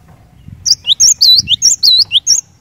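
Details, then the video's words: Brief burst of lively cinereous tit song, said to spur other cinereous tits to sing: a few high, piercing looping whistles alternating with lower clipped notes over under two seconds, with faint low background noise. "Kicauan Glatik Batu Gacor Ini Cepat Bikin Glatik Batu Lain Bunyi Gacor"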